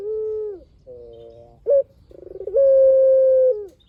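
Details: Collared dove, kept bird used as a lure to make other doves call back, with a long-voiced coo: a soft mid-pitched hum, a steady tone, a short rising note, a buzzy stuttering ramp, then a long flat sustained note.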